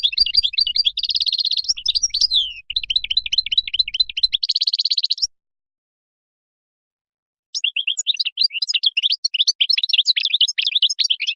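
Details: Wild-type song of a European goldfinch, meant for young birds to learn from: long runs of fast, chattering high twitters and buzzy trills, a two-second pause, then another tumbling burst.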